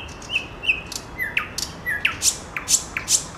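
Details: A nightingale in full seasonal song delivers paired level whistles, then a series of loud snapping downward-sweeping notes spaced roughly every half second.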